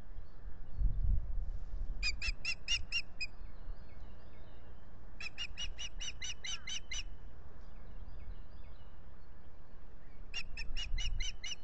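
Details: Osprey pair at their lakeside nest at Salt Point at dawn on 9 April 2021, during mating, captured by a nest camera: three bursts of rapid, high whistled chirps, seven to nine notes each, over low rumbling background noise.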